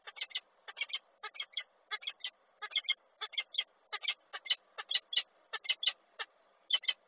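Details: Peregrine falcon female at a Polish nest site in Koszalin, April 20, 2023, screaming from a railing before flying off as the male comes to the eggs; scratchy, high notes in irregular rapid groups.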